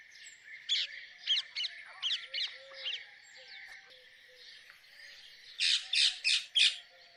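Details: Natural chirping from a pet talking parrot: scattered shrill squeaks early, then a loud run of four rapid, harsh chirps near the end, set against a constant high-pitched background tone.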